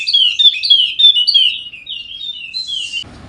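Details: Wallacean white-eye from Sumbawa, NTB, used as a lure to spur idle birds into song: a fast continuous run of sweet, high, downward-slurred notes lasting three seconds, ending in a short burst of low noise.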